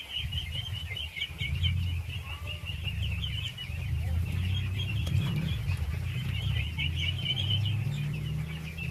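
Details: Ducklings, thousands of them, peep in a busy high-pitched chatter while being fed, with surging, uneven bursts above a loud low hum.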